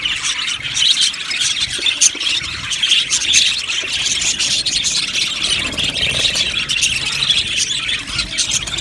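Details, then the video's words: Budgerigars chirping in an aviary colony: a steady, busy chorus of high twitters and short squeaks, slightly softer and more even than a loud flock. "Amazing Budgies chirping sounds | Budgies parakeets sounds"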